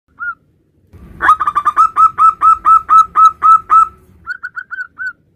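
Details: Male local zebra dove calling its mate: a short cooing note, then a fast run of about a dozen rolling, repeated coos, about four each second, trailing off into softer, higher notes.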